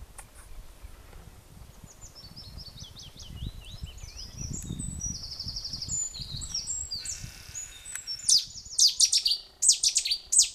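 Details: Cetti's warbler recorded near a boat house at Wintersett Reservoir, Wakefield, on 24 April 2016: faint high warbled phrases at first, then loud explosive bursts of sharp repeated notes near the end over low background rumble.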